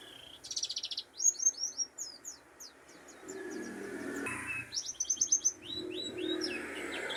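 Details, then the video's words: Mountain white-eye from Pacitan, Indonesia, singing a fast run of high, thin, sweeping chirps and trills, in two bursts separated by a short pause; a lower noisy rustle sits in the middle. "burung pleci dakun pacitan"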